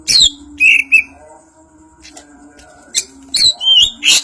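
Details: Greater green leafbird, Banyuwangi variety, in ngentrok njambul singing: a few clear whistled notes and a rising slur, a quiet gap of about two seconds, then loud scratchy bursts returning.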